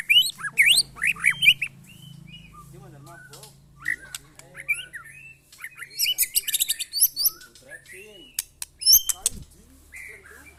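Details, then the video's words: White-rumped shama set beside six or seven neighbours' birds to test its mettle; varied whistles and chatters come in scattered bursts separated by quieter gaps, with faint background talk. "test mental burung murai batu"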